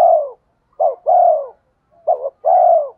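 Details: Lure spotted dove with a thổ voice cooing steadily, each short clipped note leading into a long, hollow, slightly falling coo, two such phrases in quick succession.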